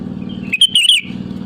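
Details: Sooty-headed bulbul calling rivals, used as a lure: a single quick, rising and falling whistled phrase over a steady low hum.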